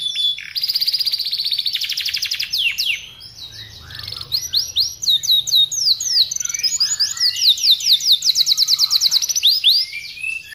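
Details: Canary tutor song for training caged birds: long rolling trill of rapid high notes, then chattering sweeps building into a fast, even series of descending whistles repeated over two per second.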